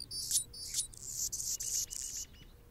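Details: Territorial male Anna's hummingbird, with a female feeding a baby in the nest: squeaky scraping notes open into a long hissing buzz, chopped into pulses, trailing off into soft rapid ticks.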